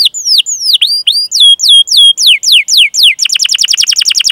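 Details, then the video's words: Canary 'cuit cuit' song played to lure young or non-singing canaries: slow paired swooping notes, then spaced steep downslurs, finishing in a fast buzzy rolling trill. "Masteran Suara Burung Kenari Gacor Panjang cuit cuit Ngerol untuk Pancingan Kenari!"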